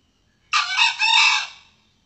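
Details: A male red junglefowl gives a single harsh, hoarse crow lasting about a second, broken into two bursts and trailing off quickly; otherwise quiet. Used as a lure call for hunting wild junglefowl.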